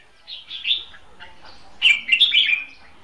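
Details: A caged decoy red-whiskered bulbul for trapping, with hót đấu fighting song: a soft warble, then a loud, bright, rapid phrase of twittering notes.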